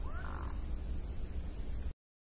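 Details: One soft, drawn-out mute swan call, from birds moving gracefully across water, starts with a quick upward sweep and then holds a level tone, over heavy low-pitched rumble before falling silent.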